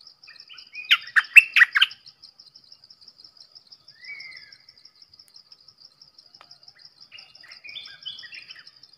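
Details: Red-whiskered bulbul singing a short, lively burst of four or five warbling, chirpy notes, followed by softer, separate slurred whistles later on. A constant high insect ticking runs throughout.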